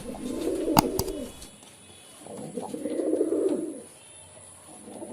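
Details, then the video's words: Pigeon coos, low and rolling, in one phrase at the start with two sharp taps, then a longer cooing phrase after a pause. "Pigeon Sound || Different Different Pigeon Sound effect"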